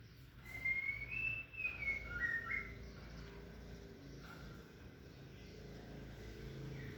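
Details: White-rumped shama, male meeting a female that he will not accept: one rich whistled phrase rising and falling over about two seconds, followed by quieter background with a faint later note.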